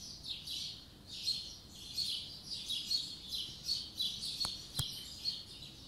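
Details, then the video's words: Spring 2020 morning bird chorus with high, twittering bursts repeating roughly every second, a thin pure whistle riding above, and two sharp clicks near the end. "Birds singing in the morning"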